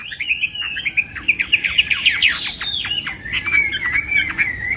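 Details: Chinese hwamei in morning voice-training song: a quick series of sharp downward-swept notes, then a steadier, sustained warbling whistle near the end, slightly quieter overall.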